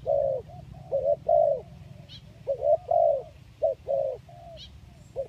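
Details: Tekukur, spotted dove, coos used as a lure: rough, throaty coo phrases of two or three notes ending on a longer one, repeated about every two seconds, with occasional thin chirps of another bird and low rumble.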